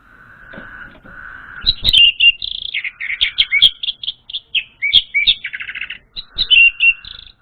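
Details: Orange-headed thrush song used as a lure for a young untrained bird: rapid, varied chirps and whistled notes in a fluent jumble, with brief trilled buzzy bursts, following a few soft level tones at the start.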